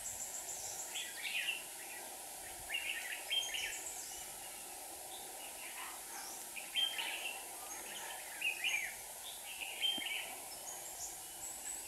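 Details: Red-whiskered bulbul decoy at a bird trap in Hòa Bình, Vietnam, one of two lures for wild rivals; bouts of sharp warbling whistles separated by short pauses, over a constant hiss.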